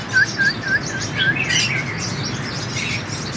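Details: Sunbird, known locally as hút mật 7 màu, giving a run of short chirped notes, repeated about four times a second, then higher thin twittering over a steady background hiss.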